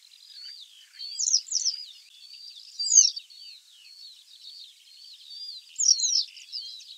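Western Yellow Wagtail giving high, thin, slurred chirps in three short bursts over a soft, steady twittering of other small birds.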